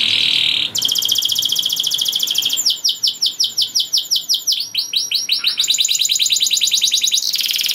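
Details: Energetic canary song meant to draw other canaries into breeding mood and singing: a buzzy opening note, then rolling trills alternating with rapid clipped downslurs.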